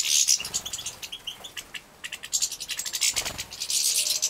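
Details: Young captive-bred European goldfinches at feeding time in Poland, 2017: high, sharp chirps and hissy begging bursts rising and falling, with short lulls between excited volleys.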